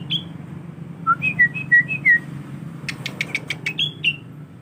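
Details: Tame young male sooty-headed bulbul, a captive collection bird, practising its song: a high slurred whistle, then a quick run of short falling whistled notes, a burst of sharp clicking notes, and two more high whistles over a low steady hum.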